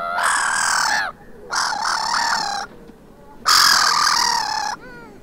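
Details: Black-headed gulls arguing on a beach in Vannes, Brittany, France, on 6 March 2023; long rasping screams with a rattling, stuttered quality, three main outbursts and a short squawk at the end.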